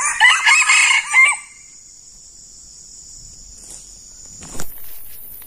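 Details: Red junglefowl crowing as a decoy bird meets a very fierce wild male: one short, harsh, stepped crow of about a second with ringing harmonics, then a steady high insect whine and a brief knock.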